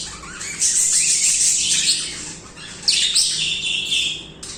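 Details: Budgerigar singing: long rasping warble phrases with a falling squawk and whistled chirps, a short lull before a loud sharp burst.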